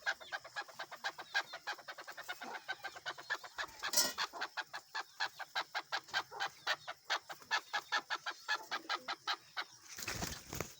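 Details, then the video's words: Male desi chukar roaming free outdoors gives a long series of some forty-five crisp clucking notes, accelerating and slowing slightly, broken by a sudden loud crackle midway and a burst of rustling noise near the end. "Keklik Sesi || Chukar Desi Chakor ki Awaz"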